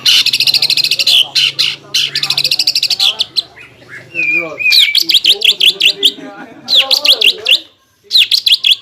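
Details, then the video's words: Caged greater green leafbird singing a lure song meant to stimulate competing birds to fight during contests: rapid bursts of bright, repeated chattering notes with sweeping whistles, broken by brief pauses. "PANCINGAN CUCAK IJO GACOR AGAR MAU NGENTROK DAN FIGHTER SAAT LOMBA"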